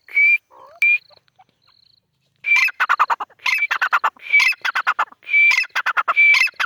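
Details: Female grey francolin (teetar) calling: a few high whistled notes, then a loud rhythmic series of harsh, rapid, repeated bursts with clear whistled accents recurring about once a second.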